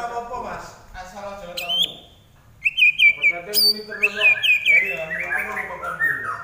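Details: Common iora in full lively song: low harmonic-rich phrases, then a pause and a run of bright repeated whistled notes, stepping and slurring between mid and high pitch.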